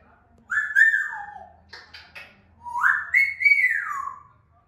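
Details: African grey parrot giving natural whistles. A clear whistle rises, holds, then falls away. Brief clicky notes follow, then a longer whistle that climbs, wavers at the top and slides smoothly down. The room is quiet.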